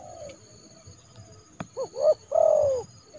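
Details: Spotted dove, a trained decoy used in January to call a rival into the yard for trapping without injury, gives loud, clear cooing: a short note, then a rising double coo and a long, falling drawn-out coo, with a sharp click midway.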